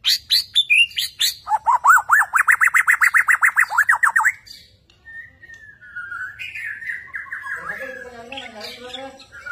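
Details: White-rumped shama, a Borneo murai, in an energetic performance: rapid loud whistled phrases repeated about four times a second, sweeping between mid and high pitch, followed by quieter varied warbling and mimicry.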